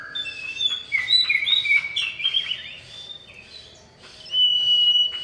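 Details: Male common iora calling a female: a rapid twittering run of chirps and warbled whistles, a quieter pause, then a long, steady, high whistle to close.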